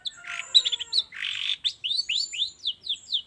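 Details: Long-tailed shrike lure call for prompting shrikes to sing in the morning: a rasping buzzy burst, then a rapid series of varied, slurred chirping notes.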